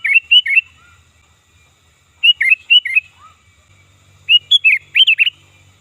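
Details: Sooty-headed bulbul calling loudly, for luring birds: short groups of three bright, warbled fluty notes repeated roughly every two seconds, the last group more varied and rising, with a faint low hum behind.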